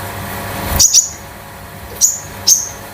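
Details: Konin, a young home-kept bird just out of its spotted juvenile plumage, used as a tutor bird: three short, sharp, very high chirps, each sliding down quickly, spaced over three seconds in a quiet room.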